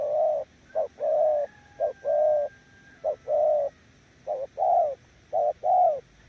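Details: Spotted dove cooing in the 'gù' style, a bird said to beat weaker decoys: about six low two-note phrases, brief then prolonged, at a steady pace, with a faint thin whistle in the background.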